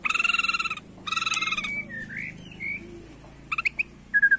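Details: Bornean white-rumped shama singing in the bowing style to provoke rivals: loud buzzy, harmonic-rich bursts about half a second long, alternating with short rising and falling whistles, over a low steady hum.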